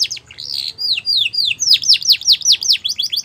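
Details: Border canary singing as a training song for young canaries: slurred falling whistles accelerating into a rhythmic series of downward sweeps, about two or three per second.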